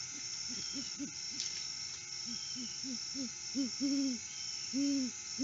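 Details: Male great horned owl hooting at 6:17 AM sunrise on 12 August 2022, alone at the nest tree in the off-season, caught by a live nest cam: a run of soft, quick low hoots building into deeper, longer hoots, with steady background hiss.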